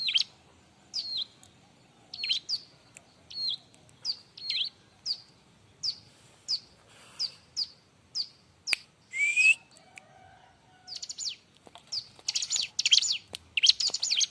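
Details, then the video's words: Bar-winged prinia in busy song used to train other birds: a long even series of high sharp chips about every half second, a brief rising whistle, then dense noisy chattering bursts at the end. "suara r!but burung ciblek-cocok untuk masteran"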